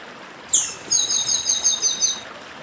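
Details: Chestnut-capped blackbird, known locally as papa-arroz do Nordeste, singing its 'dedim' song style beside a stream: a sharp high note, then a rapid buzzy trill of repeated high metallic notes for about a second, over steady running-water hiss.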